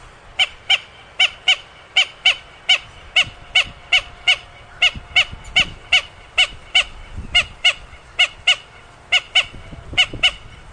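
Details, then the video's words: Swamphen calling: a rapid series of short, nasal, harmonic-rich notes, repeated about three times a second in an even, steady rhythm, over faint low background rumble. "SUARA BURUNG MANDAR"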